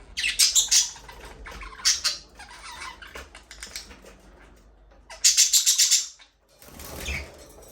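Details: In an aviary where budgies talk and sing, quick trains of high clicking chirps come in rapid bursts, with a louder stuttering run near the end before a short silence.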